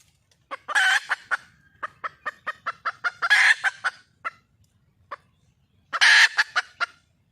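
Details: Wild red junglefowl hen calling for a male: three loud, harsh squawks about 2.5 seconds apart, each trailed by a rapid run of short clucks, with scattered clucks between them.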